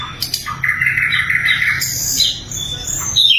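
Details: Singing sikatan londo flycatcher, recorded for training other songbirds. A sustained, fairly steady whistle-like note lasts over a second, followed by higher slurred phrases and a final sharp upslurred note.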